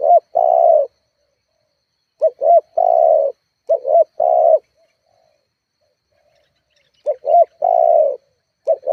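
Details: Spotted dove lure call meant to excite rivals and set home-kept doves calling. Three phrases of paired quick hooped coos end in a longer steady coo, separated by pauses of about two seconds.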